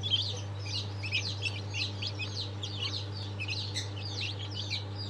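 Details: Chicks of Sultan, Fizan and İspenç breeds just out of the egg on 22.02.23, many cheeping at once in overlapping high piping notes above a steady electrical hum.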